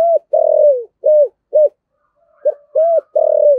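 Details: Spotted dove used as a decoy, 'giọng thổ' voice: low mellow coos in a phrase of short arched notes around a long buzzy falling note, the pattern repeating after a brief gap.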